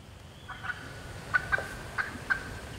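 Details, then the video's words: Sharp, separate clucks from a wild turkey hen alone in the Georgia woods, five or six short pops spaced unevenly across a quiet, low-humming background. "Hear that old hen yelping and cutting and clucking like that."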